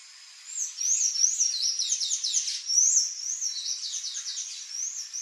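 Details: Palm tanager (sanhaço-do-coqueiro) singing: an unbroken run of high, squeaky, sliding whistled notes and chirps, rising and falling rapidly for about five seconds, loud and clear with no other notable sounds.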